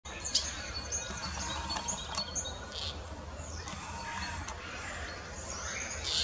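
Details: Common starling singing: a busy jumble of high thin whistles, short chirps and clicking notes, some brief slurred sweeps, delivered continuously over a steady low background rumble.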